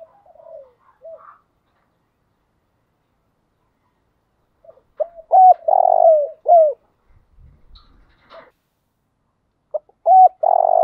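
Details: Spotted dove decoy bird calling in the morning, driving coos: a few soft short notes, then after a pause a loud phrase of clipped hoots and one long, level, slightly falling coo, repeated near the end.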